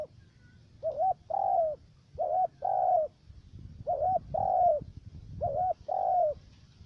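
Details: Trapping-decoy spotted dove with a three-note voice, recorded in U Minh, Ca Mau. It gives four evenly spaced two-part coos, each a short undulating note and then a longer mellow falling note, against a quiet background.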